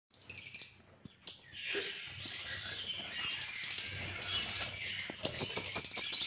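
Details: Albino red-eyed lovebirds kept as pets in Gujrat give shrill, scratchy chattering that starts softly, then builds into a dense, continuous twittering; faint rustling and a few sharp clicks are also heard.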